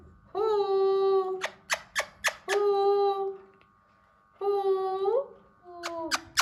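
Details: Hand-tame Alexandrine parakeet trying to talk, repeating a long flat nasal drawn-out tone three times with sharp clicks between, over a low room hum.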